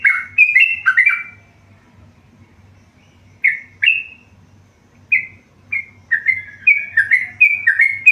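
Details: A tame yellow-vented bulbul sings in bursts: a tumbling cluster of whistled notes, a quiet gap, scattered single notes, then a fresh fast run of up-and-down whistles, with a low hum throughout.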